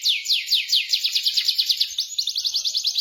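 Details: Canary song in rolling style, a lure for silent canaries: rapid repeated downward-sweeping notes run together into a fast rolling series, with a few quicker notes near the end.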